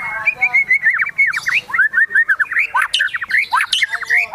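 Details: White-rumped shama in high excitement, pouring out loud fast warbled phrases of slurred whistles and squawky notes, nearly continuous.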